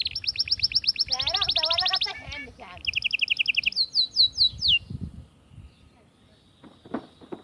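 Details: Atlantic canary song used to stimulate females for mating: bright, high trills of fast repeated notes, a lower warbling passage, then quick descending whistles before fading into background noise and faint clicks.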